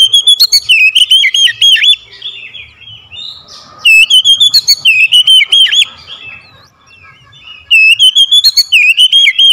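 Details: Lure song of an oriental magpie-robin for coaxing silent birds to sing: three loud bouts of fast, wavering whistles, each lasting about two seconds, separated by softer chattering and quiet pauses.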